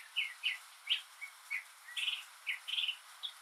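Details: Northern mockingbird, a mimic, sings alone on a rainy day: a quick string of varied chirps and short buzzy phrases, about three per second, over a steady hiss of rain.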